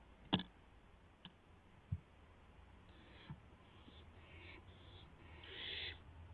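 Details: Barn owl, 12:06 AM, April 12, 2016, as an owlet tries out its wings: sharp knocks and taps first, then soft broken hisses building to a longer harsh screech at the end.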